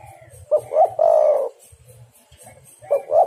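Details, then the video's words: Spotted dove lure call for bird trapping: one complete phrase of two quick rising notes and a long smooth coo, then the opening notes of the next phrase, over gentle low rumbling. "derkuku super gacor pikat dapat burung bagus"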